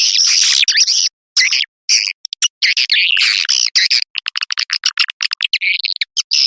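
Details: Swiftlet calling sound of the Putri Serayi type, played to draw edible-nest swiftlets into swiftlet houses: long buzzy twittering phrases followed by rapid, clipped chirps repeated in quick irregular bursts.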